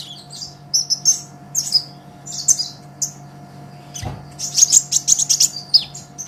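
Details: Energetic olive-backed sunbird song intended as training master for songbirds: spaced bursts of high chirps about every second, a low thump near four seconds, then a fast rattling series of sharp high notes.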